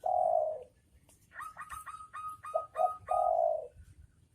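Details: Male and female spotted doves cooing: a long low coo, then a run of higher chirping notes from another bird, closing with short coos and a drawn-out final coo.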